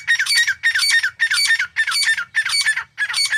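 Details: Grey francolin in a steady series of loud, grating call phrases, about six in a few seconds, each a cluster of harsh notes with bent whistled tones; low rumble in the background.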